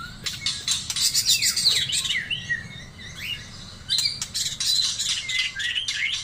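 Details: White-rumped shama of the Taiwan type delivering a long, varied song: fast chirp series, downward-sweeping whistles and bright rising notes, with a short lull midway before another energetic burst.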